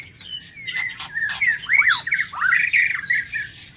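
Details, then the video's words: Morning song of a white-rumped shama in an aviary: a fast jumble of whistled chirps, slurred notes and twittering, rising in intensity midway, with clicking noises alongside. "Tiếng Chích Chòe Lửa độc lạ hay"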